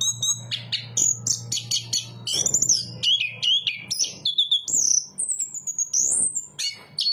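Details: Chestnut-capped thrush song: fast, varied high whistles and chips, some notes swooping upward, over a steady low hum early on.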